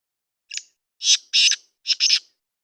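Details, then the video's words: Black francolin calling: one short scratchy note, then four loud, harsh, grating notes grouped in two pairs over about two seconds, against a silent background. "کالا تیتر کی مکس آوازیں"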